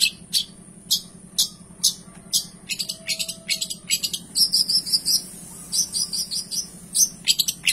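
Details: Energetic cendet song with luxurious mimicked fill: spaced sharp high clicks, then bursts of thin whistled and buzzy notes in quick clusters, a faint tone and low hum in the background.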